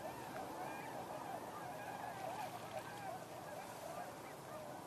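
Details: Unseen, distant Tundra Swans on 11 November 2023 give a steady chorus of soft, mellow hooting notes, many birds overlapping at a quick, irregular pace, over a low background hum.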